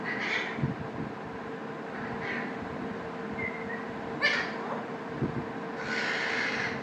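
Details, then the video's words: A pet talking rose-ringed (Indian ringneck) parakeet gives four short bursts of nasal, speech-like chatter with a longer final phrase, over a steady electrical hum and room noise. "The Best Talking Parrot - Bolne Wala Parrot - Ringneck Parrot"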